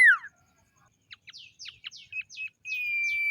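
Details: Common iora in the morning, a varied song: a loud falling whistle opens, then quick short notes and sweeping phrases, ending in a long steady high whistle.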